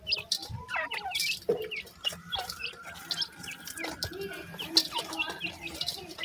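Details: Chicks of grey francolin give rapid overlapping cheeps and squeaky upslurred notes, with a few lower clucking sounds and a short drawn-out whistle near the start, over a low background hum.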